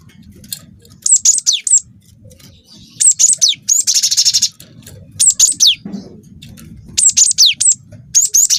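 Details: Juvenile wingko cinereous tit singing vigorously as a lure: repeated phrases of piercing high whistles ending in downward sweeps, broken by a long rasping rolled trill of over a second.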